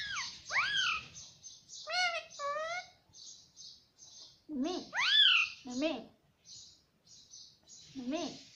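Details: A pet parrot said to talk, saying "mummy" and "papa", produces arching harmonic squawks and lower nasal syllables with gaps, over a faint steady high hiss.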